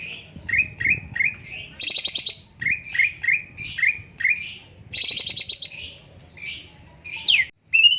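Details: Cucak cungkok bulbul, a master-voice bird for training, pours out quick descending chirps in pairs, interrupted by short rattling bursts and a final steep downslurred whistle.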